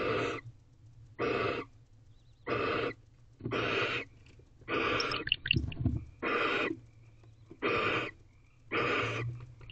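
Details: At a nest box in early morning, 5:07 am on 4 April 2023, a male barn owl meets his first owlet; eight rasping hisses about every 1.2 seconds, interrupted midway by a short burst of clattering knocks.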